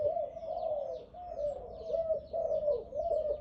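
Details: Dove of the Malay type, prized for a big voice, delivering quick rolling coo phrases in close succession, each a wavering, bubbling note, while other birds chirp faintly in the background.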